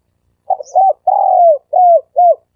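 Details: Three-coo style dove lure call: a stuttering double note, a long smooth falling coo, then two short arched coos in even succession, with a brief faint high chirp near the start.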